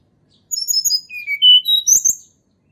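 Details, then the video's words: Sunda robin song from the wild, used as a lure for birds that rarely sing: a quick sequence of high whistles dropping lower, then a long clear note and rapid rising squeaky notes. "TLEDEKAN GUNUNG SUARA ASLI ALAM"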